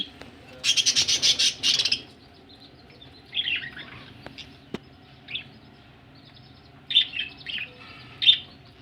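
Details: Pet budgerigars ready for laying eggs: a loud rasping trill opens, followed by scattered soft warbled notes and, near the end, a few short squeaky chirps against quiet background hum.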